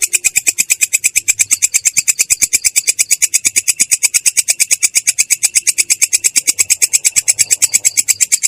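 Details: Rough-edged yet clear "ngerol" roll by a long-tailed shrike: rapid, evenly spaced rasping notes strung together into one unbroken, rattling stream.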